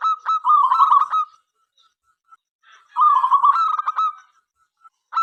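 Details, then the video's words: A local zebra dove sings to invite other doves to sing: two long vibrating, trilled cooing phrases about two seconds apart, each ending in a few sharp accented notes, with faint soft notes between. "perkutut lokal gacor suara MENGGODA apapun jenisnya 5 detik nyaut"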